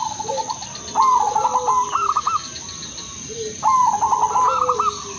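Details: Udanmas Silver Crossing zebra dove singing a melodious lure phrase to set other zebra doves singing. Two phrases of quick, tumbling coos climbing to upturned notes, a second dove answering with low coos, with a constant high hiss.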